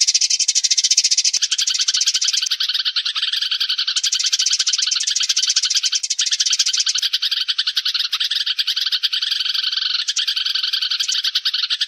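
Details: Sparrows in a group giving their flock call for use as a lure: constant twittering chatter of many rapid, high chirps, slightly fuller and louder at the opening.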